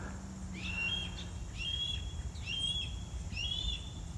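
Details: Young Red-tailed Hawk in farm trees in August, recently pushed from the nest and crying for its parents, gives four high, thin squealing cries, each a short whistled slur, about one a second, over low wind rumble.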